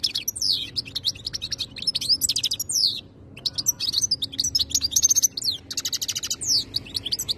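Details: Goldfinch called khaloui singing energetic, rapidly repeated twitters and descending slurred whistles. One brief gap falls near the middle, then dense trilled phrases continue.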